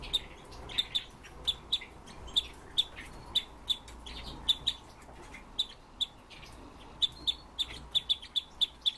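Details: Captive Red-billed leiothrix, kept as a home bird, giving a long series of sharp, high chip notes, often in quick pairs, spaced unevenly about every half second over a faint background hum.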